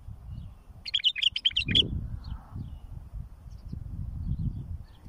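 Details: Bulbul song used for tutoring and fledging young birds: one quick, warbled phrase of about five bright, bubbling notes, followed by steady low rumbling background noise.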